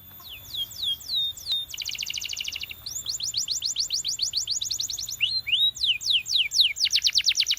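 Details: Belgian canary singing, meant for training canaries: a varied song of high whistled notes sweeping downward, a fast buzzy trill near the two-second mark, then long runs of rapid repeated descending notes.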